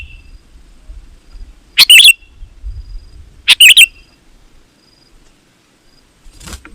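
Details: Sooty-headed bulbul song used to draw other bulbuls to respond; two loud, bright, chirping phrases a couple of seconds apart, over a low rumbling background, with a faint note at the end.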